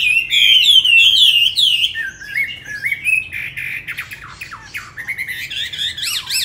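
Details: Chinese hwamei, tame and caged in Hà Nội, Vietnam, pouring out quick looping whistles that drop into a lower warble, followed by rapid repeated downward-slurred notes.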